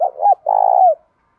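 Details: Spotted dove with a loud, clear thổ-style voice giving a fighting challenge and calling coo: two short hooting notes, then one long sustained coo that slides downward at its close.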